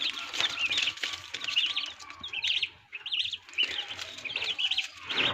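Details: Turkey chicks hatching in an incubator on a turkey farm in Assam, giving many overlapping high, wavering peeps that rise and fall in quick bursts, with soft fluttering and faint low machine hum beneath.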